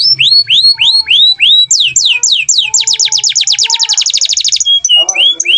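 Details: Canary in full song, described as gacor (singing constantly), Indonesian song style: a run of high upslurred whistles, then fast dense trills of rapid repeated sweeps, a few short buzzy notes, and faint low background noise.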